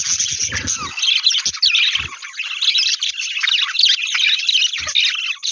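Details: Budgerigar chicks, hatchlings and growing babies in a cage, keep up a dense, high, scratchy chatter of overlapping chirps and warbles.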